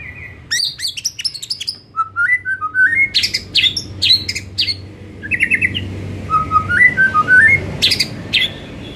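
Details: White-rumped shama singing in the afternoon as a stimulus to make other shamas sing: bursts of sharp high notes, stepped descending and rising whistles, and short buzzy trills, richly varied.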